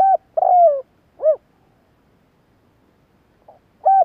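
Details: Spotted dove calling in 2021: a hollow coo, a long burry coo falling in pitch and a short rounded coo, then a faint note and the start of the next phrase over a slight low hiss.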